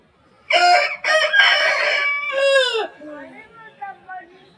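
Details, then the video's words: Aseel rooster crow, slowed down: a loud, raspy, segmented call with several choppy bursts, ending in a falling note. Quieter clucking calls trail afterward. "Aseel Roosters Crowing Sound Effect in Slow motion | Aseel Murga ka Sound Slowmo"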